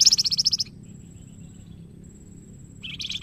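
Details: Young Flamboyan in energetic song for training other birds: a quick run of repeated high twittering notes, a pause with a thin steady tone, then a lower buzzy trill starting.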